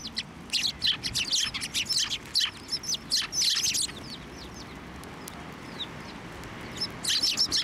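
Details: Sparrows swarming a feeding hand and others nearby at a shrine, 18 March 2024; busy volley of high chirps for about four seconds, a quieter lull with scattered notes, then chirping resumes strongly.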